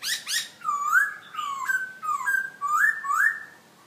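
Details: Cage-kept black-throated laughingthrush from Hanoi, Vietnam, delivering two short harsh notes, then a string of clear whistles, several climbing sharply, separated by brief gaps.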